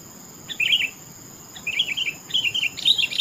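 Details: Melodious song of a Sooty-headed bulbul: three short, bubbly warbled phrases separated by brief gaps, growing livelier toward the end, against a faint steady high hum.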